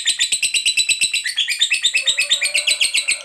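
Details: Lovebird fighter in ngekek panjang, long chatter meant to draw replies from other lovebirds: a fast, even stream of shrill chattering notes, roughly three per second, shifting pitch slightly partway through.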